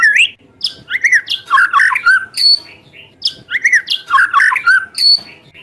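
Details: White-rumped shama in 'tembakan pedas' song meant to stir rival birds: two matching rounds of harsh, warbling chatter, each opening with a rising whistle, about three seconds apart.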